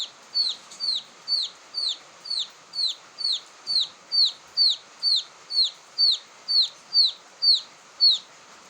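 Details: Series of high, descending peeps from a quail chick, a call used as a lure, repeated steadily about twice per second throughout, loud and clear against a light hiss.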